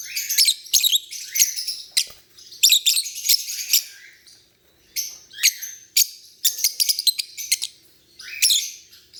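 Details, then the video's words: Lovebirds chatter in clustered bursts of sharp high chirps and harsh squeaks, several notes per burst, separated by brief pauses. "Chirping lovebird making cute sounds"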